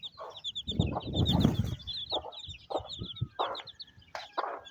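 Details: Mother hen with her chicks at feeding time, rainy weather, village in Pakistan: rapid high chick peeps overhead, the hen's short clucks repeated in quick bursts, and a low rumbling patch early on.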